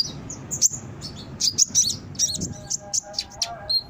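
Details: Song of a brown-throated sunbird for luring birds to answer; irregular high chips and squeaky twittering notes in short clusters.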